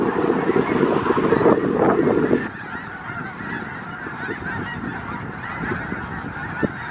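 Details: Snow geese, a winter flock of around 5000 gathered in south Grayson County, Texas, in February 2018, giving a dense roar of overlapping nasal honks, loudest in the first two and a half seconds, then a softer, more distant chorus.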